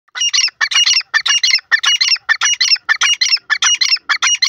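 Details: Grey francolin, known locally as teetar, giving a loud, harsh, shrill call: rapid bursts of grating double notes, about fourteen in four and a half seconds at a steady rhythm, with no other clear sounds.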